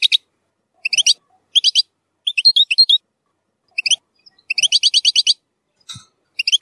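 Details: Goldfinch song for training juvenile goldfinches, rich in strong nahrat: crisp groups of high, jingling notes in quick bursts, including one longer rapid run of repeated notes and a faint click.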